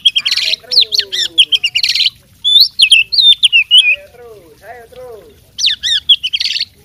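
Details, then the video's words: Fighting oriental magpie-robin in full song with mimicked fill-in phrases: bursts of buzzy trills and bright whistled notes, then a short pause, lower descending whistles, and a final burst of chattering notes. "suara kacer petarung bongkar isian gacor"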